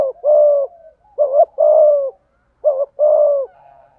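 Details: Full cooing song of a spotted dove in the 'giọng thổ' voice, 'thúc gù' style: a drawn-out coo, then two rounds of a quick doubled note leading into a long steady mellow coo, with no other sounds.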